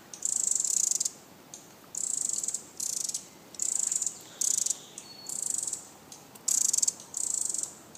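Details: Pacific Wren alarm call: high, dry, rattling chatter in short bursts, about one each second, seven in a row, over faint background hiss.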